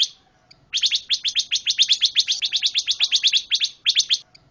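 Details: Energetic pancawarna bird song: after a brief opening note, a rapid, steady series of loud, piercing chips runs for about three seconds, with a short break near the end.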